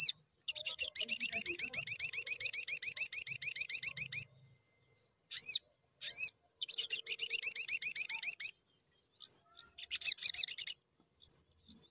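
Crimson sunbird giving very high, rapid chittering trills lasting a few seconds, broken by single thin upslurred chirps; nothing else is heard.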